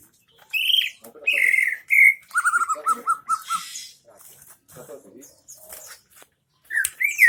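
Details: Greater green leafbird song of the isian MB type, recorded in Central Aceh: loud rising and falling whistles followed by a brisk run of evenly spaced lower chips, with scratchy rustling and murmured background noise.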